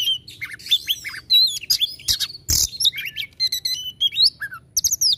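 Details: Kacer, or Oriental magpie-robin, in full 'tembakan' song: a dense run of sliding whistles, sharp chips and rasping bursts. A loud, broadband harsh note stands out midway, and the phrases come closely packed.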